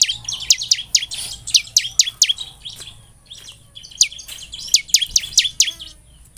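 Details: Bar-winged prinia (ciblek semi) singing, used as a lure to encourage other birds to sing: two uneven bursts of high, sharply descending chips separated by a quieter stretch.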